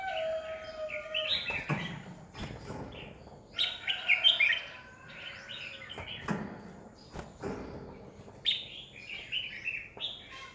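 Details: Red-whiskered bulbul lure bird in fighting song used to train other bulbuls, 2020. Repeated warbling, chirpy phrases over a noisier background, with a steady tonal whistle and several sharp thumps.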